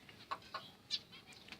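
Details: Zebra finches fighting in a keeper's setup: short nasal beeping calls with bright harmonics, four spaced notes over under two seconds, quiet against a faint hiss.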